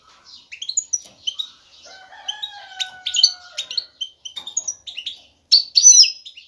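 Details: European goldfinch male twittering excitedly to attract a mate. Series of quick, liquid chirps and trills, with a faint drawn-out lower whistle partway through and a loud buzzy burst near the close.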